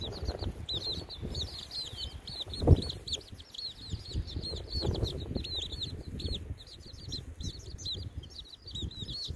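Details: Baby chicks outside on a windy day, giving a steady stream of high, short peeps rising and falling in quick succession, over loud low wind rumble and buffeting.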